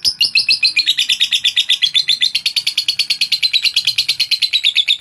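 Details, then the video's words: Rapid, high chattering song of a lovebird, used to provoke rivals: a steady stream of sharp chirps many times a second, gliding slightly lower over five seconds, with no other sounds. "Suara Lovebird Pemancing Lawan"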